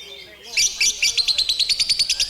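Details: Lovebird performing long ngekek song: after a brief quiet start, sharp high chirps burst out in a steady rapid series, about five per second, bright and piercing.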